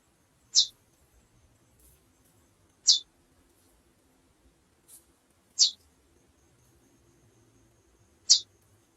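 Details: Calling female chestnut-bellied seed finch giving four brief, high, thin chirps spaced roughly every two and a half seconds against near silence.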